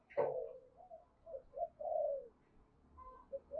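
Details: Decoy spotted dove calling to draw in wild doves, a series of low, gently descending coos following a brief sharp knock at the start.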